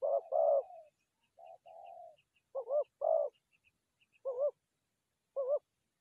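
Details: Dove call used for trapping forest doves: low hollow coos, some drawn out and some short and doubled, separated by irregular pauses, with faint high ticking notes above.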